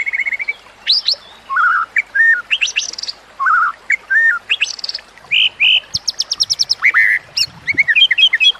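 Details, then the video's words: Training song of a white-rumped shama: varied clear whistles, some steady and some sharply rising, set in short separated phrases, then a quick series of high ticking notes and a closing burst of twittering. "Masteran Murai Batu"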